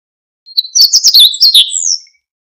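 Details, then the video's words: Siberian bunting giving one brisk phrase: a thin lead-in note, then several quick high chirps with twisting pitch, ending in a drawn-out falling whistle, in clean silence. "Escribano Siberiano"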